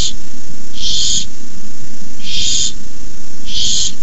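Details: Barn owl owlets hissing at the nest at 9:57 pm on 18 May 2015 as an adult delivers a rabbit; three harsh, breathy, noisy hisses of about half a second, roughly every 1.4 seconds, over a steady low hum.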